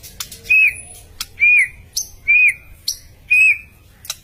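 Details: White-rumped shama in lively voice, giving a clear arched whistle repeated four times at a steady pace, each note preceded by a short sharp click.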